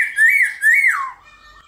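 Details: Short morning song phrase of a black-throated laughingthrush, sung in competitive 'hót đấu' style: two bright, wavering whistled notes, the second sliding down at its end, then quiet.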